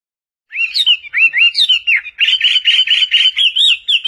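A Chinese hwamei sings loud, fast, slurred whistles. The phrases run together and then break into rapid, ringing repeated notes, with no other sounds.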